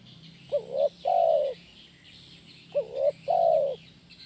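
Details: Spotted dove (tekukur) kuk 1 gacor song, played to train birds. Two phrases, each a brief double hoot followed by a long smooth coo, with faint chirping in the background.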